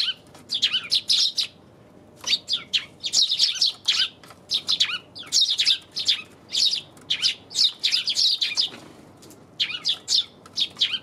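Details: Sparrows on January 27th giving busy bursts of high chirping, groups of quick notes about a second long separated by short pauses, repeated throughout over a faint low hum.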